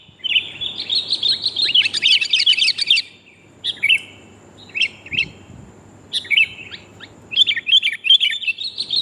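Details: Calls of a female sooty-headed bulbul summoning the male, played to lure birds: a long, rapid bubbling chatter, then short twittering phrases broken by pauses, with faint low background noise.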